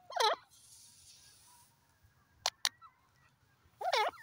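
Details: Grey francolin, known locally as teetar, giving two loud harsh wavering call bursts at the start and end, with sharp clicks in between over a faint hiss.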